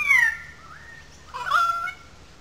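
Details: Currawong calling loudly in a gully above the wetlands at Sydney Park, Sydney: a strong falling whistled note, a pause, then a second ringing, slightly rising whistle.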